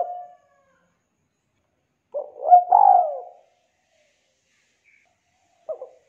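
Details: A spotted dove (tekukur) singing as a lure for birds that have stopped singing. One clear phrase of soft, low coos rises to a longer rolling note, framed by brief fragments of cooing.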